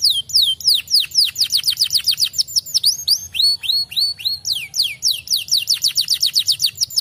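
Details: Continuous canary song from a fighter-style kenari: high, rapid downslurred notes strung in tight repeated tours, changing syllable type every second or two.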